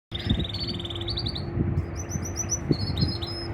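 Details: Male canary singing to a female in the 2024 breeding season gives fast rolling trills, shifting from a mid-pitched tour to higher, quicker phrases, over a low steady hum and rumble.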